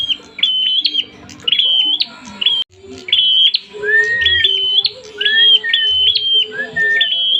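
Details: A prinia singing while agitated and ready to fight. Loud, metallic phrases of flat notes repeat rapidly, broken by short pauses, with lower drawn-out whistles underneath.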